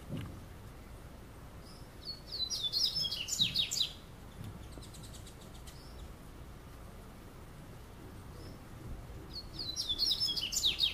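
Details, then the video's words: In São Paulo state, Brazil, a double-collared seedeater sings on a summer afternoon; quick, high, tumbling chirped phrases of about two seconds, separated by a long quiet gap before the next phrase, with faint background noise. "Passarinho Coleiro (coleirinho cantando) / Double-collared Seedeater singing"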